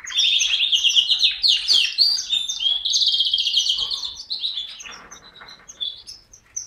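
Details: Canary singing a loud, continuous rapid warble of high chirps and rolling trills, tapering into scattered sharp high notes near the end.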